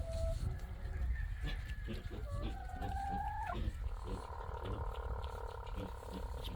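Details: A chicken gives a soft, rolling purr with drawn-out tonal notes over a low rumble, with quiet talking nearby, on a wet, cold, dark morning on a family farm in Selah, Washington, 20 December 2023; the keeper jokes it thinks it's a cat.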